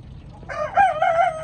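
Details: Chicken crowing: a short, loud, harmonically rich call lasting about one second, rising at the start and then holding a slightly wavy tone, over quiet low background hum.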